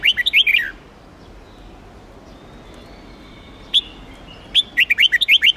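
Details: Red-whiskered bulbul, Huế style, singing during contest training: a bubbling run of warbled notes, a long quiet gap broken by one sharp note, then another rapid series of rising and falling whistles.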